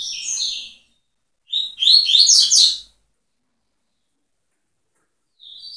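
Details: Tui tui song of a double-collared seedeater: a short high trill, a pause, then a loud, dense run of quick chirping whistles, followed by silence and the start of another phrase.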